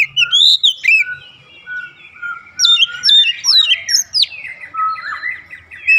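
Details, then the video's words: Oriental magpie-robin calling rhythmically: swooping whistled phrases, a held lower whistle, then a jumble of sharp rising and falling notes with scratchy undertones. "kicauan Kacer memanggil penuh irama"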